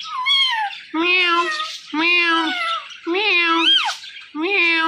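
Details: A talkative green parrot gives five drawn-out, meow-like nasal calls about a second apart. Several bend up and down in pitch, with short silent gaps between them.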